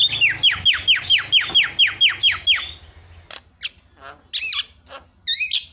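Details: Starling lure recording to get quiet birds chattering: a steady run of about ten downward-slurred whistled notes, then scattered harsh squawks and twisting buzzy calls over a low hum.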